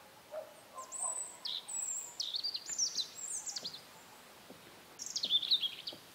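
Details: European robin in Belarus's Berezinsky Reserve, late April, delivering high sweet whistles and quick descending twittering trills in two phrases separated by a short pause; a faint lower bird note and light background noise.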